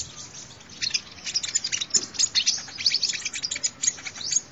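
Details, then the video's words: Sunbird lure recording: a dense, busy chatter of high, thin chirps and twitters that runs without a break. "tiếng chim hút mật làm mồi chuẩn"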